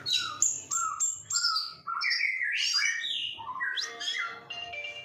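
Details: Oriental magpie-robin in full song pours out a rich, varied stream of clear whistles, slurred rising and falling notes and high sweet trills, continuous throughout, over a low background hum.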